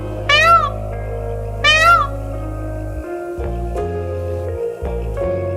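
A peacock gives two loud, wailing, cat-like calls that rise and then fall, over background music.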